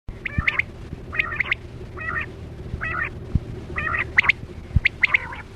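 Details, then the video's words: Quail lure call used for hunting quail with nets, 2024-25 season: short clusters of sharp whistled notes near the same pitch, repeated roughly every second, with a steady low electronic hum and a few faint clicks beneath. "Sound Of Chora Quail Batera"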